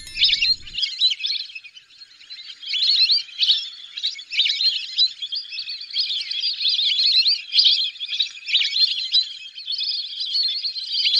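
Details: A steady chorus of whistling ducks: many high, squeaky whistled notes overlap in a continuous twittering stream, with no clear gaps and a short low rumble at the very start.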